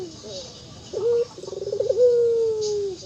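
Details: Local dove cooing: a short low note, then a rapid pulsing tremolo that swells into a long, level, slightly falling coo lasting about a second, over a hissy background.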